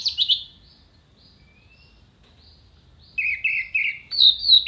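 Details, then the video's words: Orange-headed thrush tutor song for contest birds: a brief high rattling burst, a faint thin whistle during a long pause, then a series of repeated buzzy mid-pitched notes and a bright high flourish. "MASTERAN ANIS MERAH GACOR FULL ISIAN TEMBAKAN TAJAM VOKAL JERNIH DURASI PANJANG ISIAN BURUNG LOMBA"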